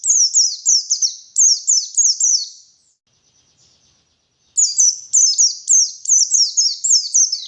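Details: White-eye song used as a lure for wild birds in the morning: rapid runs of high, thin, downward-slurred chirps in quick succession, two bursts split by a short silent gap, with no other sounds.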